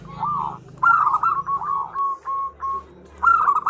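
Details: Calling female zebra dove, a lure for males: a soft rolling coo, then a bright trilled phrase, several evenly spaced whistled notes, and a final bubbly burst, with faint low rumble early on.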